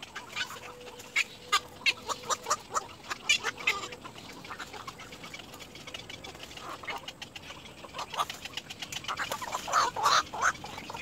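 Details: Little egret chick at the nest, said to be exhausted; harsh, hoarse chattering notes repeated rapidly, about three a second, in uneven bursts that grow louder and denser near the end.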